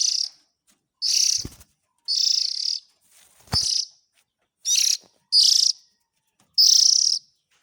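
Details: Harsh, grating hiss-calls of an Oriental magpie-robin youngster, played to draw in parent birds. Seven bursts arrive at irregular spacing, broken by a couple of sharp clicks or knocks.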